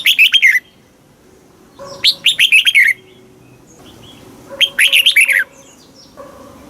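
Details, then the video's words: Red-whiskered bulbul song in the southern master style, used in Thailand to stimulate caged birds and tutor young ones; three brisk warbling phrases of rapid descending notes, spaced about two seconds apart, with quiet gaps between. "เสียงนกกรงหัวจุก ร้อง ริก เปิดให้นกฟัง ยั่วให้นกคึกจัด"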